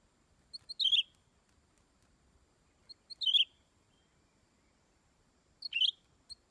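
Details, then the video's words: Greater green leafbird giving short bursts of high, sharp chirps, each a quick cluster of a few notes, repeated about every two to three seconds with quiet in between. "Denak Burung Hijau Sami"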